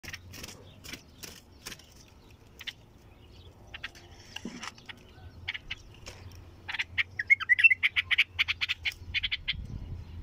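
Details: Bulbul singing a quick bubbly run of chirped notes late in the recording, preceded by scattered sharp clicks and a low steady hum underneath.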